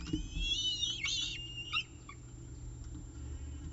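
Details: Peregrine falcon at the CSU Orange nest during the evening meal, 18 October 2018, 6:51 pm, nest camera: a burst of high, wavering, harmonic whining calls in the first second and a half, then a few short notes and low background rumble.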